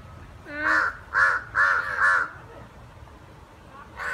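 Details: Fighting pair of crows: four rasping caws delivered rapidly in a tight burst, followed by a brief pause and another loud caw starting at the end.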